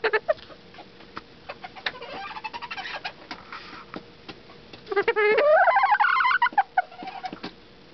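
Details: A pet bantam rooster gives soft clucks and scattered clicks, then a loud crow that climbs steeply and wavers near the top for over a second before dropping away into a few quieter notes.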